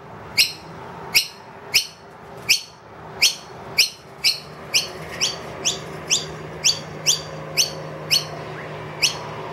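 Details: Wild noisy miner with two young in a room, loudly demanding food from an empty feeder; bright rising chips, slower and louder at first, then quicker and softer, about twice a second.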